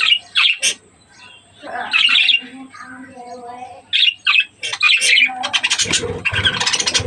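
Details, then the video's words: Budgerigars at breeding time give short bursts of harsh, buzzy chirps and warbled squawks, with lower harmonic notes between bursts and a dense chattering run near the end. "breeding of budgies birds"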